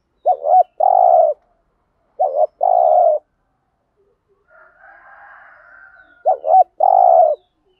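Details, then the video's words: Spotted dove used as a lure to provoke wild birds into singing back, giving deep, hollow cooing phrases: a short doubled coo then a longer sustained coo, repeated three times, with a faint rasping sound between phrases. "tiếng cu gáy THÚC GÙ bài bản/ chim cu gáy giọng bài bản giúp bổi ức chế và gáy theo"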